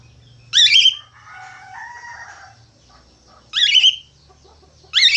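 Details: A lively budgerigar gives loud harsh rasping squawks spaced a few seconds apart, with a soft, low, gurgling warble between the first two.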